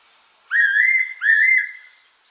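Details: Fairy pitta song from a 2020 recording by Korea's National Institute of Biological Resources: two clear slurred whistles in quick succession, each rising then holding steady, with faint overtones and a quiet background.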